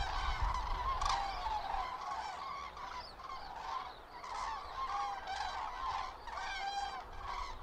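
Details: Autumn passage of common cranes over Lahn-Dill-Kreis, Germany, 31 October 2022, in poor weather: many birds call at once, a busy chorus of bugling, rolling notes with some higher overtones, repeated rapidly and unevenly.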